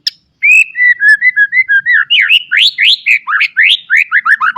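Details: Continuous whistled song of a white-rumped shama used to train young birds, steady mid-pitched notes giving way to rapid upward and downward slurred whistles repeated in quick succession.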